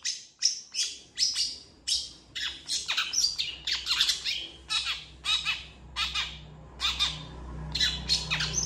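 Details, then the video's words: Long-tailed shrike master song, used for training other birds: harsh, buzzy, scratchy bursts delivered in rapid succession, roughly two or three per second, with strong high overtones and only a faint low hum underneath. "MASTERAN CENDET GACOR"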